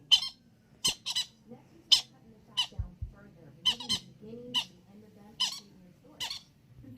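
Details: Baby green-cheeked conures playing, giving harsh, scratchy squawks, about ten short bursts in seven seconds at an uneven pace, with a faint human voice and low room hum behind.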